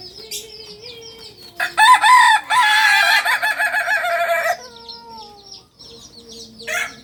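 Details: Kokok Balenggek singing chicken, native to Solok, Indonesia, on a breeding farm; after quiet chirps, a loud stuttering crow of rapid broken syllables runs about three seconds, followed by softer background crowing.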